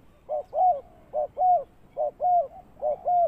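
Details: Spotted dove used as a ground lure bird for trapping, giving low cooing calls in paired notes, a short coo then a longer slurred one, repeated about every 0.9 seconds, four pairs, with quiet background.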